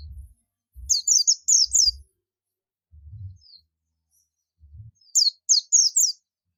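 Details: Buxtomi Oriental white-eye calling companions, giving two quick runs of four or five sharp, high, down-slurred chirps, with soft low bumps between them.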